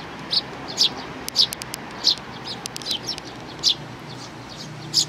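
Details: Sparrows, chicks with their parents, 11 May 2019: scattered short high chirps, some quick clicking notes between them, against a background hiss.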